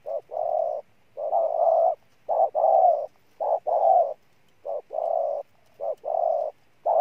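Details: Rhythmic cooing from a spotted dove decoy, alternating brief clipped notes with longer mellow held coos, roughly one pair per second, with no other sounds.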